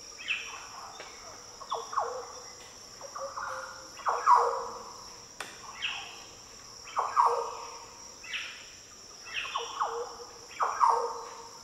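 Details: Several Green Orioles may be countersinging in the Daintree rainforest, Australia. Overlapping fluty, liquid phrases of falling notes repeat through the clip beneath a steady high-pitched insect whine.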